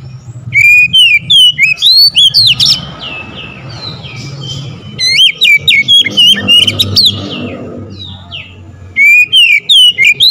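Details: Lure song of an oriental magpie-robin (kacer), used to excite birds into singing: three strong phrases of fast, bright whistles and sharp upward slurs, quieter twittering between them, and a steady low hum underneath.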